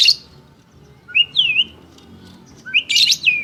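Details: White-rumped shama, champion bird, producing a high sharp note, then a clear rising-and-falling whistle, then after a pause a dense high chattering phrase ending in a down-slurred whistle.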